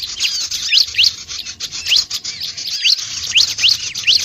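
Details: Bar-winged prinia call used to attract other birds, heard as clusters of thin, sharp upward-sweeping chirps at irregular intervals over constant high-pitched hiss.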